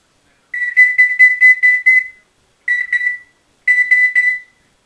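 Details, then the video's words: Congo African grey parrot kept as a pet, left alone in a room and rambling away. It gives three bursts of even-pitched, clear whistled notes in quick pulses, separated by short pauses, in a quiet room. "My Parrot Rocky Cussing and talking and some making some weird noise"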